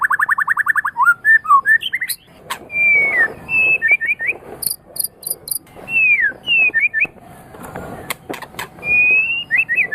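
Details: A white-rumped shama, recorded as tutoring song for pet birds: a fast pulsing trill, then scattered clear slurred whistles separated by pauses, with faint high ticking notes between.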